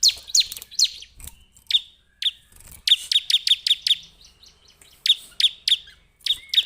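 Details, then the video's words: Bar-winged prinia (perenjak Jawa, ciblek) giving spaced, bright, high chirps that drop sharply in pitch, at first scattered, then in quick bursts of four to six notes separated by short pauses. "Suara Burung Perenjak Jawa / CIBLEK"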